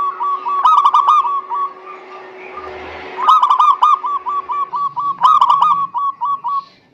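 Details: Local zebra dove (perkutut) song used as a lure to get reluctant doves singing: bursts of rapid, rolling coo notes repeated in fast beats, separated by a quiet gap with faint low hum.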